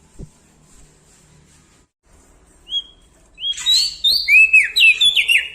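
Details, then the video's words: {'caption': 'Lombok bar-winged prinia singing loudly: a quiet start with a click, one thin whistle, then an outburst of shrill chattering notes and dropping slurred whistles repeated for about two seconds.'} "Prenjak Daun Lombok gacor Mental Juara Nempel Sama Burung Besar Suara Nyaring"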